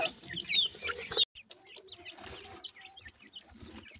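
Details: Newly hatched chicks of a dakhni teetar francolin pair give thin, high peeping chirps, short and rapid at an uneven pace; a brief break cuts in, and a low background hum runs beneath.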